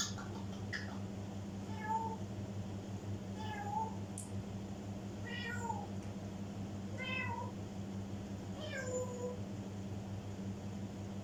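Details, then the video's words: African grey parrot mimicking, giving five meow-like calls that rise and then fall, spaced about every two seconds, over a steady low indoor hum. "African gray parrot mimics"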